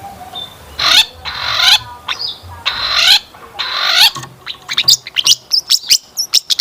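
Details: Long-tailed shrike singing a rich lure song to set other shrikes singing. It opens with four loud, harsh rasping bursts, then breaks into quick, thin whistled and chattering notes.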